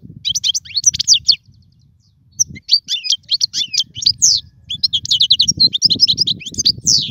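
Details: European goldfinch singing in a cage, recorded as tutor song for young birds; dense bursts of rapid chattering trills and sharp twitters, a short pause mid-way, then more rippling phrases over low hum.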